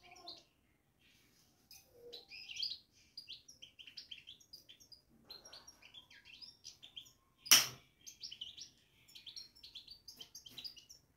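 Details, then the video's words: European goldfinch kept in a cage, babbling in long runs of rapid, tinkling high chirps and twittered phrases, with one sudden sharp knock interrupting the flow. "بتبتة الحسون في السلاكة"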